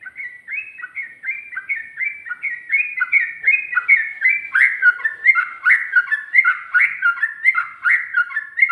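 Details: Sooty-headed bulbul delivering ropel song with ngikluk and ngGARUDA touches, a fast, steady run of short, liquid whistled phrases, each dipping and rising, repeated about twice a second without pause.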